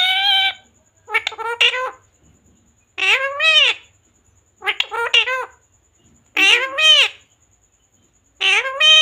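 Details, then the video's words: Pet parrot talking in Hindi, repeating words like "mummy", "papa" and "mithu"; short, high, speech-like phrases of two or three syllables come every one to two seconds, separated by silence. "Parrot talking mummy mithu ko roti do🥰mummy papa bolane wala Mitthu😱parrot talking sound"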